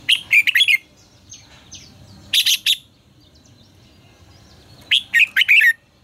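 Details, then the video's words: Red-whiskered bulbul singing lively "ché căng lửa" phrases, recorded to train the voices of kept bulbuls. Three bursts of quick, bubbling whistled notes come about two and a half seconds apart. "Luyện giọng cho chào mào hót hay -Ché căng lửa cực phê, chào mào hót quá phê"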